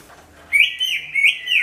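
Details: Greater green leafbird singing loudly, used as a lure for all kinds of birds; a bright, sustained whistled phrase with small upward flicks, repeated in three linked pulses.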